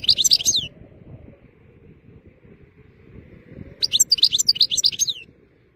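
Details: European goldfinch singing in nice weather: two short bursts of rapid twittering, tinkling notes at the start and again near the end, separated by a quiet gap with low background hum.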